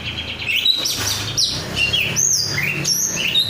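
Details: Caged oriental magpie-robin (kacer), described as a raw 'rudal korea' bird, singing actively: loud downward-sweeping whistles and chirpy phrases over a steady low hum.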